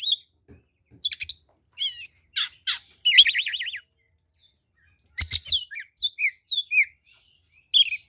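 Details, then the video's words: Kacer, or oriental magpie-robin, in full fighting song meant to stir rival birds into answering: harsh rasping bursts mixed with bright whistled phrases, a fast trilled passage and a scatter of clipped notes after a brief pause. "SUARA BURUNG kacer gacor NGEPLONG TARUNG ini paling AMPUH buat PANCINGAN kacer NYAUT EMOSI"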